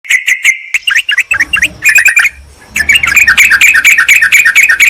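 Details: Yellow-vented bulbuls in a lure recording meant to call a rival and attract wild birds in forest or gardens; busy overlapping bubbly chirps, rapidly repeated, with a short lull midway before the chatter resumes.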